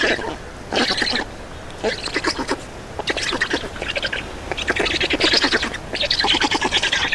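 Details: Black storks at an Estonian nest, feeding time, 31 May 2019 at 11:48: repeated bursts of rattling, buzzy calls about once per second, each made of rapid clicks, growing louder.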